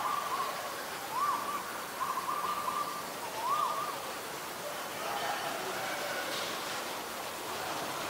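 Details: Asian koel, male and female: a run of short, arched notes, each rising then falling, repeated in quick groups over a few seconds, then steady background noise.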